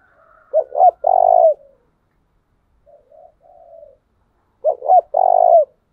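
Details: Spotted dove kept as a decoy, calling to rouse and train other doves. A low mellow phrase of two quick notes, then a drawn-out coo, with a soft brief coo between two full phrases.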